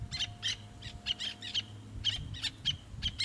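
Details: Black-naped terns at a rocky-reef breeding site on Ishigaki Island, Okinawa, Japan, give sharp, raspy, high-pitched notes, about four per second in a quick irregular series, over a low rumble of wind or surf.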